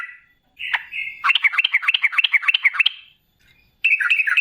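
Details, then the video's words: Sooty-headed bulbul, locally trucukan, singing a long rolling lure song meant to provoke other bulbuls to answer: a drawn whistle, then a rapid run of bubbly chirps about three per second, a pause and a fresh burst. "Suara TRUCUKAN GACOR Ropel Ngalas Pancingan Trucukan Agar Bunyi Jadikan Burung Trucuk Nyaut Seketika"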